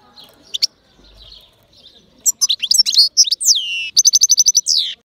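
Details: European goldfinch from Albania. It sings a bright, fast twittering song of varied chirps, buzzy slurred notes and sharp downward sweeps, ending in a rapid evenly spaced trill, after a few quiet scattered notes.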